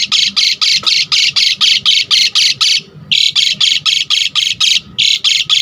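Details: Vigorous Asian pied starling (Jalak Suren) song used as a tutor for other birds: harsh, grating rasps repeated about four times a second in a steady rhythm, with one brief pause.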